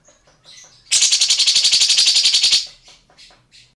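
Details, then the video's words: Tengkek buto or cucak jenggot, an Indonesian bird recorded as a training model for other singing birds: soft high chirps, then a loud harsh rattle of quick, steady buzzy pulses for nearly two seconds, then faint chirps. "TENGKEK BUTO vs CUCAK JENGGOT"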